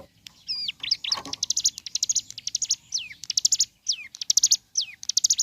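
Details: Bar-winged prinia in lively morning song: rapid rattling runs of high chips broken by loud, falling slurred whistles, repeated in several phrases over five seconds.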